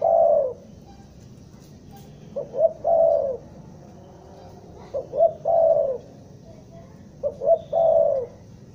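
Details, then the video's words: Stuttering-style trapping lure of a Bandung spotted dove: mellow phrases of two clipped coos and a sustained coo, evenly repeated about every two and a half seconds over a low background hum. "Suara pikat mp3 burung tekukur , Tekukur Pikat Kota Bandung Gagap"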